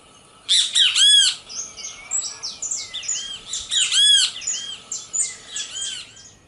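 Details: Sabiá singing: two bursts of full, ringing arched phrases about three seconds apart, separated by a busy chorus of thin, high, sliding whistles from other birds and constant background hiss.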